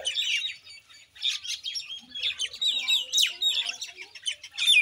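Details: Indian myna calling in bursts of chirps and sharp whistles, with a brief lull near the one-second mark, then lively chattering and a loud downswept squeak.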